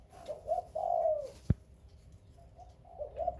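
Spotted dove giving soft, low hooting coos: two short notes, then a longer drawn-out coo, with another short phrase near the end and a sharp knock midway.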